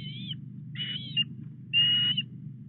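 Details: Osprey at the Llyn Clywedog nest in Wales, heard on 4 August at 09:33 while a headless fish is delivered to ring-coded bird 8B2. Three high, thin whistled notes, each slightly falling, come about one per second over a steady low hum.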